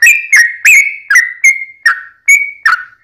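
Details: A singing sooty-headed bulbul on a lure track for drawing out other bulbuls; eight well-spaced whistled notes, some falling and some held level, each ringing briefly before the next, in a clean recording.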